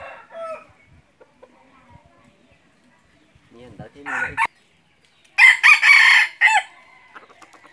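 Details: After soft voices and clicks, a red junglefowl kept as a hunting decoy bursts into a loud, broken crow of several rasping segments lasting about a second.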